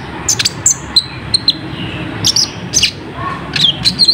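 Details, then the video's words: Kolibri ninja, the olive-backed sunbird, giving a piercing lure song for attracting wild birds: rapid high tinkling chirps and short slurred whistles in irregular clusters, ending in a denser run of notes, with low background rumble. "Suara Pedes Burung Kolibri Ninja ⁉️ Dalam Hitungan Menit Langsung Nyaut ⁉️"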